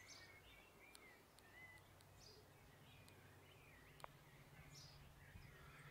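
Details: Suburban tui cavorting in a flowering kowhai tree in summer repeat short mid-pitched whistled phrases, with higher squeaky notes and occasional loud clicks, over a soft low background drone.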